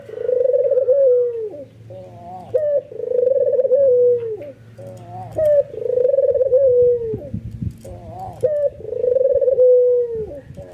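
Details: White albino ringneck dove cooing excitedly, nodding, prompting other doves to join: a sharp upward note, then a long rolling purr-coo sliding down at the end, repeated four times with brief pauses between.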